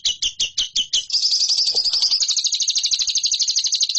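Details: Lovebird master recording for competition birds: six separate sharp chirps, then a fast, continuous high trill of rattling notes to the end.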